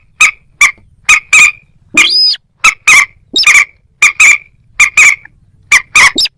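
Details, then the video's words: Moorhen repeating hard, clicking calls in singles and pairs, with one longer squealing note early on. "ডুংখোর পাখি ও খেনি পাখির ডাক(moorhen @ little cracked bird sound)"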